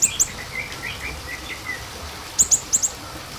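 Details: Small minivet calls used as a lure: two sharp, very high thin notes open, soft lower chirps follow, then a tight series of four high piercing notes near the end.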